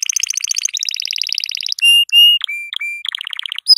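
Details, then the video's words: Yellow canary song used to tutor young canaries: fast buzzy trills, then long pure high whistles, then a rapid run of repeated notes. "أقوى تغريد كناري أصفر للتسميع صغار الكناري"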